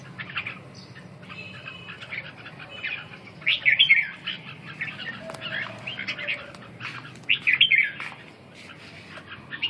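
Red-whiskered bulbul giving two loud, bubbly whistled phrases a few seconds apart, with softer chirps and twitters between them against a quiet background.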